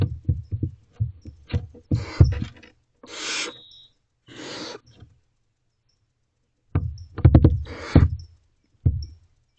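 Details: Barn owlets bundled together in a nest box before dawn in mid-May, with loud knocking and scraping as they shuffle about, broken by two breathy, rasping hisses and a short thin tone.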